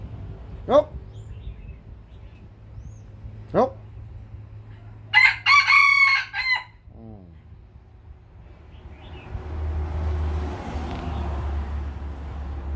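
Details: Two sharp, quick chirps come first, then a Lao chicken rooster crows loudly in broken segments ending in a descending trail; hissing noise and low rumble follow.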